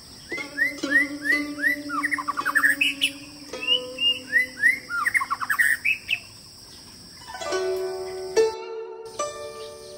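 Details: White-rumped shama singing: rich whistled phrases, slurred and rising-falling, delivered in quick series with short pauses; steady droning tones, possibly insects or background music, hum underneath.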